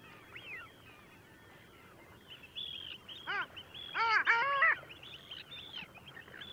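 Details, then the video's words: Long-tailed duck at Liepāja, Latvia, in January 2024: a short nasal arched note, then a loud drawn-out yodelling call with rich harmonics, over thin high chatter from other birds in the background. "KĀKAULIS /Clangula hyemalis/"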